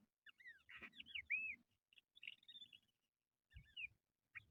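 Crested lark giving liquid, slurred whistles, rising and falling notes in quick short bursts with brief pauses, over faint low thumps.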